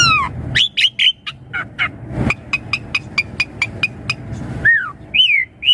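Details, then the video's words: Lure song of the Asian pied starling for young birds: a few sweeping whistles, then a steady train of short sharp notes about two per second, and closing upturned whistles. "Suara Jalak Suren Untuk Pancingan Burung Jalak Suren Muda Agar Cepat Nyaut Gacor Full Isian Mewah"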